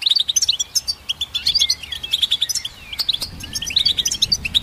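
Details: Goldfinch song with rapid sparkling chirps and twittered phrases, some notes bending up and down, delivered in a non-stop stream.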